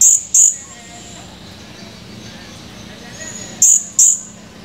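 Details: Male blue-crowned hanging parrot, recorded 17 July 2020, giving very high, thin, shrill chirps in two quick pairs, about three seconds apart, over a faint low hum.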